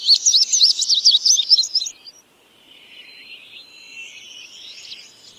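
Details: Indigo bunting (Passerina cyanea) song: a bright two-second burst of high, quick, sweeping notes, followed by fainter, thinner high song trailing on.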